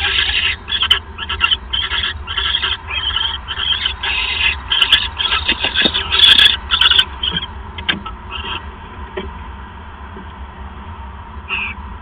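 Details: Owl nighttime mouse delivery by a male, 28 December 2014; fast, choppy raspy hissing bursts, nearly two per second, for about eight seconds, then fading to quieter clicks and one final rasp.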